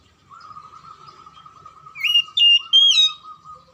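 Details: Magpie-robin singing to prompt lazy or stalled birds to sing: a steady thin background tone runs throughout, then three crisp whistled notes arrive near the end, climbing in pitch, the final one strongest.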